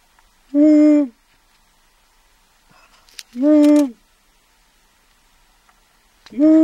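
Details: At Aquileia (UD) at 03:40 on 25 April 2014, during a 24-hour birdwatch, a long-eared owl (Asio otus) gives three drawn-out, nasal, slightly falling hoots about three seconds apart, with faint clicks in between.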